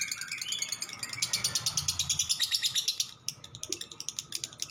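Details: Lovebird 'ngekek' chatter: quick high, scratchy repeated notes, a brief break then choppier clicks, over light room hum.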